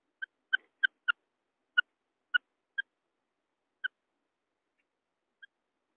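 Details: Common quail giving short, sharp, clipped notes in an irregular series, clustered at first and then spreading out with longer gaps, ending in one faint note, with no other sounds.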